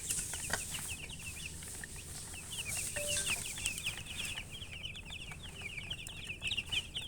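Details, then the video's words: Baby chicks chirping together: a dense stream of high, short, downslurred peeps that overlap steadily throughout, over a low background hum. "Baby "Chicks Chirping" Sound"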